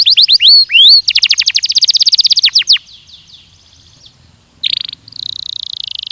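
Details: Belgian canary singing for a training recording: upswept notes lead into a dense fast trill that stops, then after a quiet pause a short buzzy burst and a sustained level trill.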